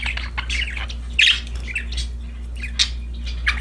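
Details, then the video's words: Playing, happy budgerigars chattering with scratchy warbled chirps and one louder squawk, over a steady low electrical hum. "Happy Parakeets Chirping Sound"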